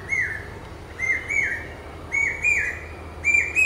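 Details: Brain fever bird, the common hawk-cuckoo, repeating a shrill pi-peeah: paired whistled notes that lift and then slide down, repeated about once a second.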